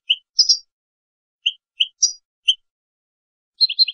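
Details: Goldfinch song in sparse phrases: short bright chips and liquid twitters spaced apart, then a quick tinkling cluster at the end, with no other sounds.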